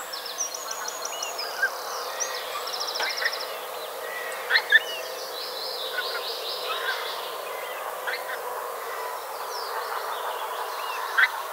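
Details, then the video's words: A flock of pink-footed geese flying in and landing at Kirriemuir, one passing closely and loudly right over a hide, give a constant overlapping chorus of high, squeaky 'wink-wink' calls. "Pink-footed Goose (Anser brachyrhynchus) - flying, calling, and landing"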